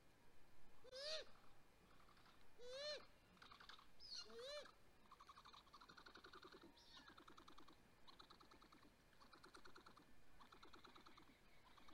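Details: Great grey owl nest, May 12, 2020, the male bringing prey. Three upward-slurred, whistled calls with hoarse edges open the recording, followed by soft, rapid chittering phrases repeated steadily.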